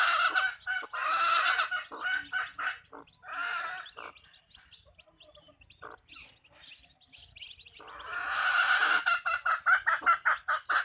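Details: Chickens on a backyard farm. Harsh, broadband clucking and squawking comes in dense rapid bursts. A loud run at the start and another near the end frame a quieter middle stretch of scattered single notes.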